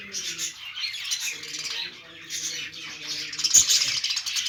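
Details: Budgies, Australian parrots, chirping happily while playing: dense, continuous high twittering chatter from several birds, with scratchy squawks and a steady low humming tone underneath.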